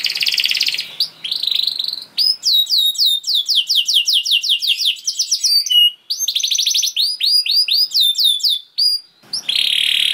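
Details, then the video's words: Canary, kenari, singing a long gacor song used to prompt other canaries: rapid buzzy trills near the start and end, with long runs of downward-swept whistled notes repeated about four times a second between them. "Seketika Kenari Kondisi Apapun Akan Langsung Respon Bunyi Gacor Panjang Tanpa Nunggu Lama"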